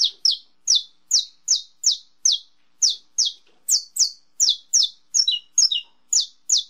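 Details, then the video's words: Saffron finch singing in the estalo style: a long series of sharp, snapping notes, each sweeping steeply down from high to mid pitch, delivered at a brisk but uneven pace with a few doubled notes near the end. No other sounds. "canário da terra canto estalo"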